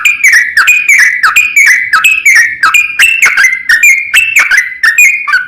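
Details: Yellow-vented bulbul song for drawing out reluctant birds, clear whistled-bubbly phrases repeated in a steady rhythm, each dipping then lifting in pitch.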